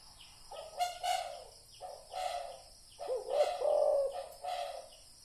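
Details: Spotted dove recorded as a lure for decoy trapping, giving a quick run of low, husky coos that swell and fade, the later notes longer and louder.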